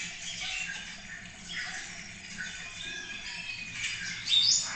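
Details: Spotless starling song at Cabañeros National Park, captured on a nest webcam: a dense, scratchy jumble of creaky chatter and squeaks ending in a sharp rising whistle. It sounds like several birds calling together.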